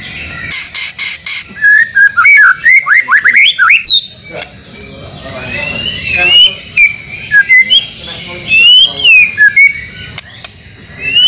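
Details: Training song for caged White-rumped shama, mixed with imitated phrases from other songbirds. Rapid strings of chips give way to swooping, rising whistles and varied twittering notes, delivered in quick bursts over a faint constant background hiss.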